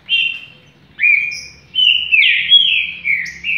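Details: Green-winged saltator described as a champion with a song of vigour and speed: loud whistled phrases, slurred and sliding, several bursts in quick succession, each falling and rising, with a short high note between, in a quiet background.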